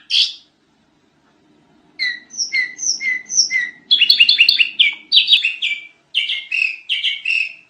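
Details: Sooty-headed bulbul singing wild, noisy masteran-style tutor phrases: one short note, a pause, then four paired whistles, then dense bubbling chatter bursts with short breaks, over a faint low hum.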